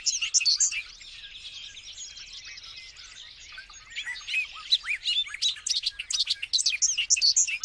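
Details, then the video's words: Several birds sing together, a continuous chatter of high, sharp chirps and twittering notes that grows busier and louder toward the end. "Birds singing"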